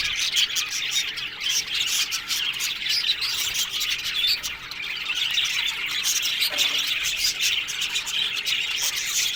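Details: Colony of Australian budgies kept in an aviary, many birds chirping and twittering together in a constant high, scratchy chatter, with a brief lower murmur midway.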